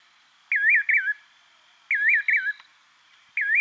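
A nightjar gives clear, wavering whistles in quick pairs, each note bending up and down, repeated about every one and a half seconds over a faint steady hum.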